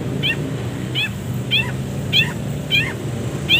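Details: Long-tailed shrike on a masteran training recording for songbirds, full of pauses: short, sharp downward-slurred notes repeated roughly every half second over a steady low hum.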